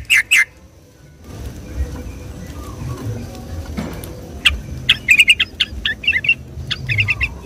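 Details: Sooty-headed bulbul in rapid, continuous singing on a Sunday morning, used as a lure to trap or excite bulbuls: short bright chirped notes, a pair at the start, then a quick bubbly burst after a quiet stretch over a low rumble.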